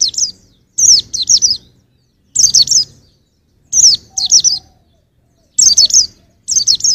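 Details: Short bursts of two to four high, sliding chirps from a white-eye, repeated roughly every second with silences between, for training songbirds.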